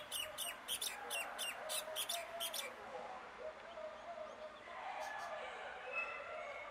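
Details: Common myna calling in a fast burst of about nine scratchy, chattering notes over three seconds, followed by low murmuring and indoor background noise with only a few faint notes.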